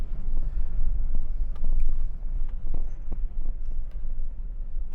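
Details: Deep throbbing hum with scattered soft knocks and thumps, and no animal calls.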